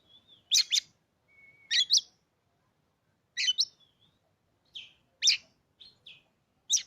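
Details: Newly acquired captive Oriental magpie-robin gives loud, harsh paired notes with short thin whistles between and uneven pauses. Played to stir other magpie-robins into singing, against a silent background.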